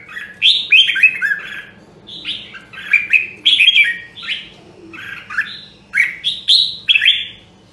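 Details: Nam Đông, Huế red-whiskered bulbul, a rare voice type, sings repeated short slurred whistled phrases in quick succession, each a bright falling flourish, with short pauses between groups and a faint low hum.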